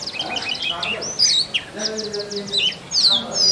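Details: Male Oriental magpie-robin (doel) singing to attract a mate in forest, a busy mix of short whistles and chirps, with lower steady tones running through the middle.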